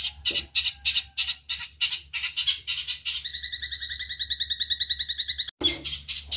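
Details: Eurasian tree sparrow song for songbird training: a run of quick, harsh high chirps gives way to a rapid metallic trill. It breaks off briefly near the end, then the chirping resumes.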